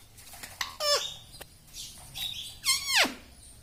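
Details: Pet parrot talking, saying words such as mummy, papa and radhe: quiet squeaky syllables, then a louder strained phrase that falls sharply in pitch near the end, over a faint background hum.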